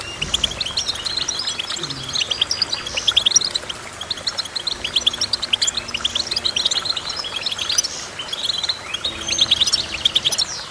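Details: Goldfinch song: dense, rapid twittering of short, high chirps and trills that overlap continuously throughout, with several fast bursts and brief rising notes; a faint low hum sits underneath.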